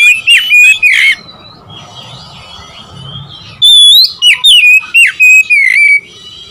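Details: Provocative song of an Oriental magpie-robin toward rivals: a brief loud whistled burst, quiet soft notes in between, then a lively series of sharp, slurred whistles repeated quickly.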